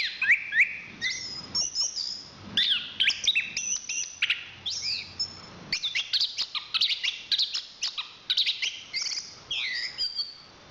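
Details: Chestnut-capped thrush, a national champion singer from Southeast Asian forests, delivering a fast, varied song of sharp chips, buzzy trills and high whistled slurs packed densely together without pause.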